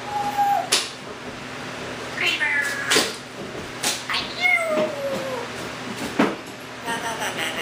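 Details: Pet Timneh African grey parrot taken in from a bird rescue, producing a string of meow-like, harmonic, falling calls mixed with sharp clicks and short chirps indoors.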